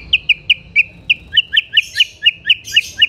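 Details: White-rumped shama, in vigorous song aimed at provoking other shamas, delivers a steady string of sharp, high chipping notes about five per second, growing doubled and fuller toward the end.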